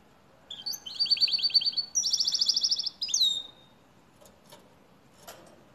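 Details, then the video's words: Canary singing like a goldfinch: a high trilled phrase of rapid repeated notes, shifting into a buzzier higher trill and ending in a short slur, then quiet with faint chirps and steady background hiss. "Canary sings like a goldfinch"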